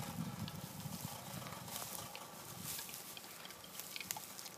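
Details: A male western capercaillie, a cock that approached the recordist, gives low, guttural, pig-like grunts and then scattered dry clicks, over a steady hiss and breeze.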